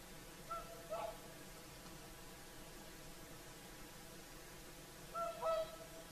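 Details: Whooper swans in the evening at sunset at Lake Saimaa, Finland: two brief honks close together at first, then after a pause a longer cluster of two or three bugling notes.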